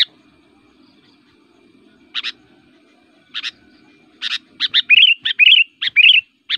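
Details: Kutilang, a Sooty-headed Bulbul, singing its aggressive, provoking fighter song, used as a lure for bulbuls in the forest. After a quiet start come paired clipped notes, then a quickening burst of chirps mixed with rising, slurred whistles.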